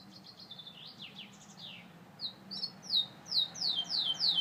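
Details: Belgian canary (labelled a Gloster canary) singing a quick, high run of bright twittering notes, ending in a series of sharp, descending sweeps repeated about twice a second.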